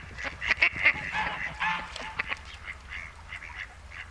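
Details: Mallards in breeding season, two drakes courting a female along the Malecón de San Lázaro in Noia: rapid burst of harsh, honking quacks early, then softer scattered nasal calls tapering off over a few seconds.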